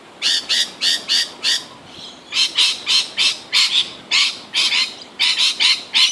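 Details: Lorikeets competing to feed on nectar from Grevillea flowers, giving harsh, buzzy screeches in quick bursts, about two or three a second with brief pauses, over a faint outdoor background.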